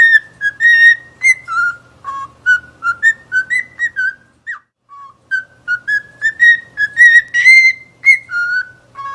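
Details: Lively cockatiel song of many short whistled notes, about two per second, wandering up and down in a loose melody with a brief pause in the middle.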